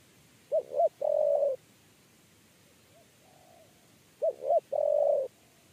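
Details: Spotted dove (tekukur) giving 'kuk 3' coos while being lured into a cage trap. Two loud phrases of double short hoots and a long coo, with a fainter, more distant coo between them.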